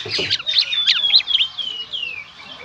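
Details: Kacer, the Oriental magpie-robin, in gacor konslet song: dense rapid sharp notes, then long descending whistled slurs fading away.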